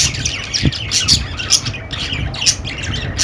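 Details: Chattering budgerigars give a quick run of rasping squawks and sharp high chirps, loosely pulsed about twice a second, with scattered whistled notes and a soft low rumble underneath.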